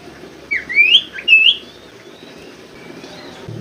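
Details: Common Iora (sirtu) lure song for reluctant singers: a short burst of two or three bright rising whistles, then quiet background.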